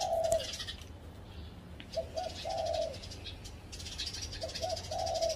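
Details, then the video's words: Spotted dove perched on a home's tree giving repeated mellow coos, each phrase a pair of quick notes then a sustained low note, about every two and a half seconds, over faint high chirping and light hiss. "เสียงนกเขาใหญ่ เสียงจริง ถ่ายจริง มาเกาะต้นไม้ที่บ้าน"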